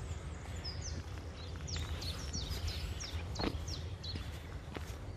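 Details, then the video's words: Early spring birds along the walk from Bromsgrove to Tardebigge Reservoir, 3/4/2020: a mix of thin, high chirps and quick descending notes from more than one bird over strong low-pitched outdoor noise. "Spring flowers and bird song"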